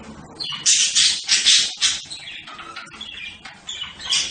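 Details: Budgerigar giving loud bursts of harsh, buzzy warbling, rapid chirps packed together in pulses, then quieter chatter before a final louder burst.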